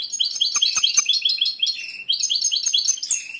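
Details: Caged male European goldfinch in full breeding condition, a competition bird with a large repertoire, singing while the female ignores him: rapid, continuous high twittering of tinkling, buzzy trills and chirps, with a few soft clicks.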